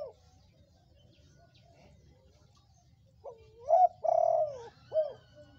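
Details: Spotted dove of red colour, kept as a lure to set other doves calling; after quiet, one mellow phrase, a low rising note, a loud long coo and a short final coo, over faint low rumble.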